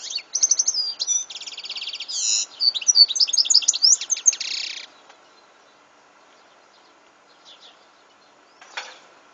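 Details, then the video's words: European goldfinch song recorded in 2014: a fast, tinkling, twittering run of high notes with buzzy trills and liquid chirps lasting over four seconds, then near silence with a few faint chirps and one sharp click. "Chant de chardonneret"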